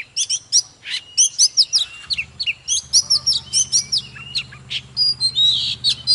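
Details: Oriental magpie-robin in 'kích lửa' song-and-dance, pouring out quick bright whistles and chirps in steady bursts, while a low mechanical hum runs beneath.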